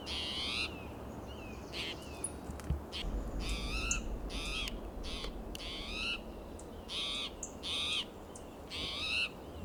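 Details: Agitated, restless spotted towhee hopping between coast live oak and Monterey pine branches in Del Monte Forest, California, on a June morning. Harsh, buzzy, mewing calls, about eight in ten seconds at uneven spacing, over a steady low rumble.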